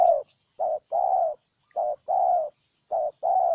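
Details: Loud cooing of a Spotted dove, Ninh Thuận, Vietnam: three phrases, each a short coo then a longer, steady, husky coo, evenly spaced with silent gaps between.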